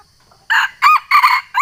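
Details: Sumatran junglefowl calling to challenge a rival, a call used for luring wild birds: a loud, hoarse crow broken into four harsh bursts over about a second, each rising then dropping, after a short silence.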